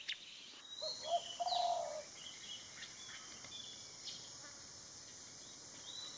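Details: A single Golden-fronted Leafbird visiting a garden in western Thailand gives a burst of varied whistled and chattering notes, followed by a few thin high chirps, over a steady hiss of insects.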